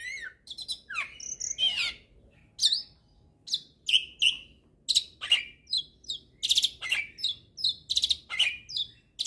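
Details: Hybrid starling singing with a rich, varied repertoire, used to teach songs to magpie-robins and kacer birds; sharp squeaky chirps and short high notes come in quick irregular bursts, with a few rising and falling whistled slurs, in an otherwise quiet setting.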